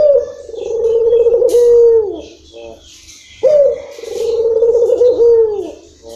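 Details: Two long, rolling low coos from a local puter dove in long rhythm, each a pulsing trill ending in a smooth held tone and a soft drop, with short stuttering notes between them.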